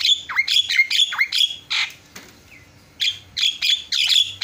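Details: Javan myna singing, a tutoring recording with birds said to answer one another: loud harsh chattering notes in clusters, a rough squawk, a short pause with a faint chirp, then more grating chatter.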